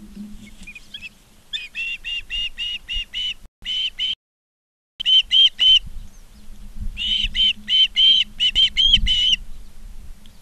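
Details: Ospreys at Charlo, Montana, seen on a live nest cam, 19 August 2023, 16:05, utter evenly spaced, high whistled chirps in several runs of five to nine notes, separated by a brief silent gap.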